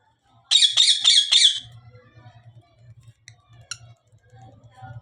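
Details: Cockatiel giving four harsh, screechy calls in quick succession, followed by a couple of faint chirps over a low indoor hum.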